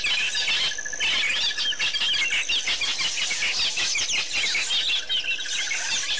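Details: A dense chorus of White-fronted bee-eaters at Pete's Pond in Botswana, dated 10/9/07. Rapid overlapping chirps and squeaky twitters fill the whole clip, with a pulsing insect trill underneath at the start and end.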